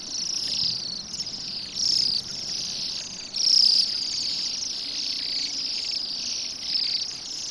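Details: A flock of Bohemian waxwings eating rowan berries on an overcast December day in Pushkin, St Petersburg, Russia, gives high, thin, ringing trills that overlap into a continuous shimmering chorus, with a few louder bursts.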